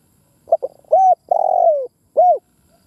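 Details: Spotted dove used as a decoy bird, cooing: a short stuttering pair of notes, then one long mellow coo and one long drawn coo that falls at the end, and a final rounded coo.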